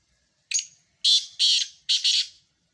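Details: Black francolin calling: a short harsh note followed by three loud, grating, buzzy bursts, each about a third of a second, in quick succession against a quiet background.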